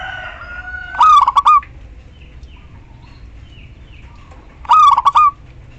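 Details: A female local zebra dove calling to males, used as a lure to prompt silent birds to sing, gives two short bursts of quick, stuttering, ringing coos several seconds apart over a faint low hum.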